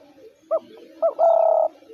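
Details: Spotted dove, a hunter's dove call: two brief clipped notes lead into one long, flat, humming coo over a soft, low background murmur.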